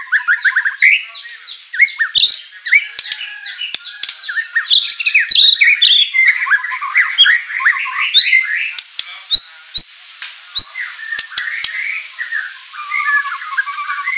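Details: White-rumped shama in full, lively song loaded with fill-in material, played to coax other birds into replying: a dense, tumbling stream of mixed whistles, chatters and harsh squawky notes, thinning later into spaced sharp chips and soft warbling.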